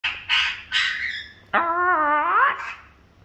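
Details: Princess parrot giving three harsh, raspy squawks, then a longer nasal, harmonic call that dips and rises before breaking off, with a short squawk at the end.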